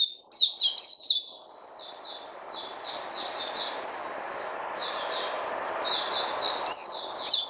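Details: Puteh white-eye singing on 29 August 2020: quick sharp chirps at the start, then a long run of softer, high twittering notes over steady broad noise, ending with a few loud bright chips.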